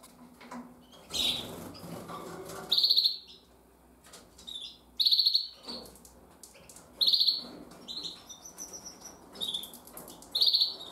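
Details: A brooding female Gloster canary begs the male for food with short, high, rapid chattering bursts, repeated about every two seconds; a breeding pair.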